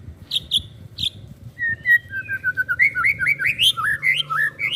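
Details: Young white-rumped shama, a contest prospect suited as a backup bird, opens with a few harsh buzzy bursts, then a run of clear whistled notes climbing and sliding in quick succession.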